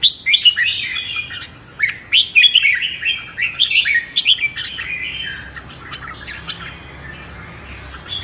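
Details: Red-whiskered bulbul in a morning singing contest for voice training: a quick run of rapid whistled, warbling notes for about five seconds, then fading to quiet with only faint chirps.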